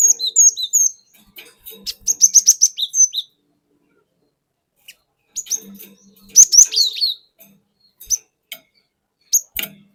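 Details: Cinereous tit from the forest, its song played as a lure to provoke other birds: rapid runs of high piercing notes and falling slurs, then a long quiet gap and more bursts.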